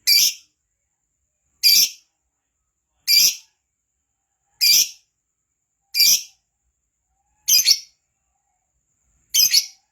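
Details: Lovebird, kept to sing keenly, uttering loud harsh high squawks one at a time, seven over ten seconds at roughly one-and-a-half-second gaps, with silence between them.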